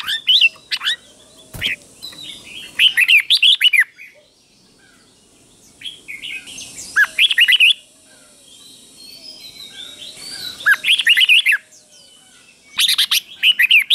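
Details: Red-whiskered bulbul repeating its doubled Thai-style song for fledglings to copy: four separate bursts of quick, warbled, whistled notes spread over fourteen seconds, with quiet hiss and a click between them.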